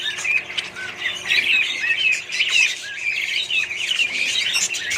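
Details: Budgerigars kept in a colony alongside other parrots give lively warbling chatter, with looping whistled notes and quick chirps and some wingbeat flutters.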